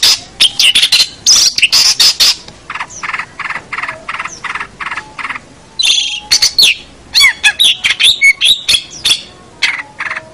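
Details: Long-tailed shrike song used as a training recording for other birds: quick bursts of rasping chatter, then a steady series of harsh repeated notes, followed by squeaky whistles and twangy rising phrases, dense and loud.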